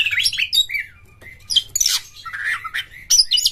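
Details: Caged Oriental magpie-robin (kacer) in full song, giving short whistled slurs, a sustained thin whistle, then bursts of harsh high chattering notes and rising chirps over a low background hum.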